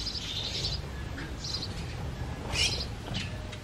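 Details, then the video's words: A house sparrow, likely a breeding-season male, gives four bright, scratchy chirps, spaced irregularly about a second apart, over a steady low rumble of background noise. "The Sparrow Calling"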